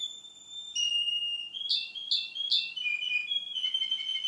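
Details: Male Russian canary in song, two months after a previous recording: steady whistled tones, three loud sharp chirps in quick succession, then a smooth lower rolling whistle.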